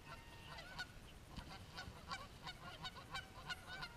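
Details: Geese fighting, a rare sight for the recordist; rapid harsh honks repeated about three times a second, uneven and overlapping, with noisy low background rumble.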